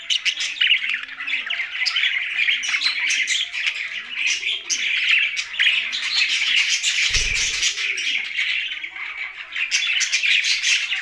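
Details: Budgerigars with a parrot in Larkana, Sindh: loud, dense flock chatter of high chirps and warbles, regular low arching coos beneath, and a brief low thump partway through.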